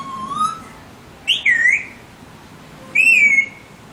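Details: Alexandrine parrot making clear whistled notes: a soft rising whistle, then two louder swooping, wavering whistles about a second and a half apart, over a quiet background.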